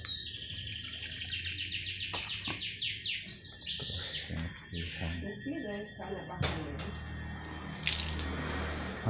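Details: Kept canary during morning care singing a dense, fast run of bright repeated trilled notes for several seconds, then scattered chirps as a person talks over the bird.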